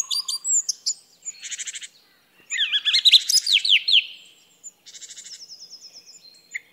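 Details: Song thrush in full song: scratchy high rattles, then a dense cascade of sharp, descending whistled notes, and finally a rapid series of thin, high, evenly repeated chips. The recording is clean, with nothing else audible.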